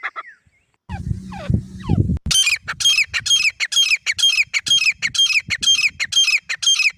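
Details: A pair of grey francolins, male and female, give loud, harsh, high squawking notes about twice a second in a steady run, after a brief low rumble at the start.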